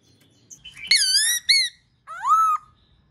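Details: Black-throated laughingthrush song to set other birds singing: a sharp click, then a rich harmonic whistled note with a brief echo, and after a pause a rising-falling arched whistle.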